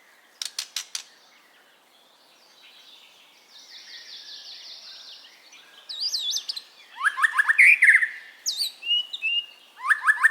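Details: White-rumped shama song used as training audio for caged birds: scattered sharp clicks, a faint buzzy stretch, then loud varied whistles, slurred notes and rapid chattering phrases toward the end, over a quiet background.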